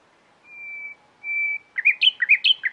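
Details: Nightingale singing: two long, pure, steady whistled notes, then a quick run of varied, chirping, up-and-down notes.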